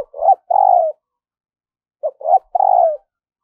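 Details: Caged spotted dove kept as a decoy to lure wild doves, in a daily voice-training session: two low, mellow cooing phrases about two seconds apart, each of short notes ending in a long, slightly falling coo.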